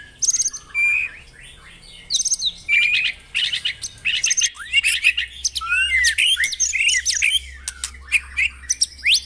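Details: White-rumped shama song played in the morning to stimulate caged birds to sing: dense bursts of high buzzy trills alternating with whistled, swooping phrases, with short pauses between outbursts and a low hum underneath.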